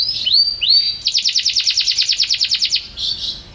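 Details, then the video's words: Champion-style canary song opening with two upward-curving whistled slurs, followed by a quick, regular trill of downward-swept notes, ending in a soft buzzy flourish. "suara kicauan burung KENARI luar biasa juara"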